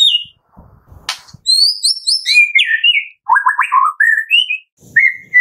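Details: White-rumped shama of the Medan type in full, busy song with many filler phrases: clear whistled notes swooping between mid and high pitch, a rapid falling trill, then short rising whistles, with brief clicks near the start.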